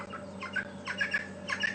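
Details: Natal spurfowl (francolins) at Djuma Game Reserve in February, late afternoon as the sun drops, give their normal contact call to keep pair bonds: harsh, scratchy cackling in three quick bursts rising in intensity, over a steady low engine hum.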